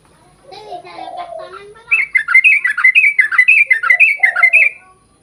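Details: Sooty-headed bulbul in long-roll song, played to coax other bulbuls into singing. Soft lower warbling opens, then a rapid burst of bright, closely packed chirps follows and ends in a low slurred whistle.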